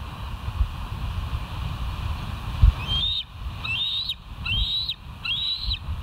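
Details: Bald eagles at the West End nest on 13 July 2023, seen by a live camera: after a quiet stretch, four high, thin, upslurred squealing notes come at steady intervals, with steady low rumble beneath.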